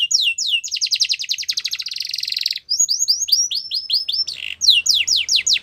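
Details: Yorkshire canary song used for training young canaries, opening with downslurred whistles, then a long rapid buzzy trill, followed by series of crisp descending slurred notes repeated in quick succession.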